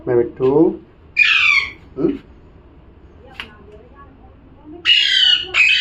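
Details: Parrot calling: two loud, harsh, raspy squawks about a second and four seconds apart, with low murmuring voices and soft clicks between them.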